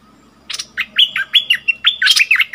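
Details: Decoy bulbul in a cage singing to wild birds, 28 February 2021, delivering a quick chain of clear, bouncy whistled notes, each swooping up then down, about five per second.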